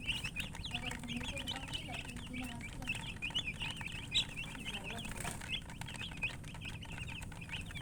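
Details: Several chickens keep up rapid, thin, high chirps, each a short upward or downward flick, repeated without pause over faint low noise.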